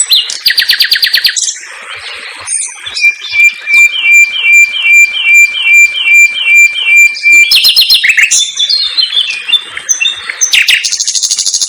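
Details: Common nightingale (sikatan londo) in energetic 'gacor dor' song in a simple aviary: rattling bursts, then a long run of rapid repeated notes over a steady whistled tone, followed by more harsh rattles and a high buzzy trill.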